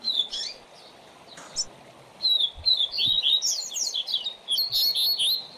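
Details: Coleiro or papa-capim (double-collared seedeater) song used to teach young birds: a short twitter, a pause with a faint rustle, then a long, lively warble of rapid high sliding notes lasting over three seconds.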